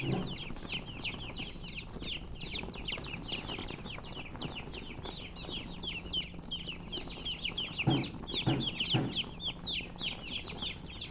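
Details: Chirping baby chickens fill the scene with overlapping thin falling peeps, while a few louder thumps and rustles break in later on.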